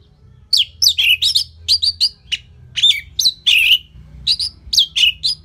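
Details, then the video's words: Orange-headed thrush singing in full, relaxed form to train other songbirds: an energetic, nearly nonstop sequence of loud whistled notes that sweep down and up, mixed with harsher scratchy bursts, repeated in varied phrases. "Dipancing Dengan Kicauan ANIS MERAH Gacor Selow"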